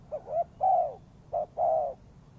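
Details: Spotted dove cooing for a trapping lure, two phrases each pairing a short hoot with a longer, level one, close and clear.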